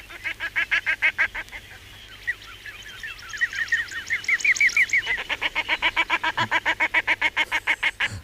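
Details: Common shelduck laughing call, with the drake whistling at the female: a rapid chattering laugh of harsh, nasal notes about three a second, with a run of thin, sweeping whistles rising through the middle.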